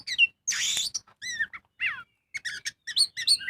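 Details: Magpie-robin (kacer) in full song as a lure for birds: a whistle, a harsh rasping burst, then downslurred whistles and quick stuttering chirps.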